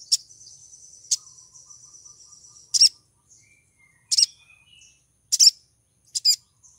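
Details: A female little spiderhunter in heat calls to a male: high clipped chips at irregular intervals over a thin continuous whine, with a few soft lower squeaky notes between them.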